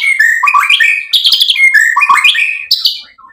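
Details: White-rumped shama in full, energetic song, used as a lure to provoke other shamas into answering: loud whistled phrases sliding between low and high notes, with quick rising and falling slurs and sharp chips.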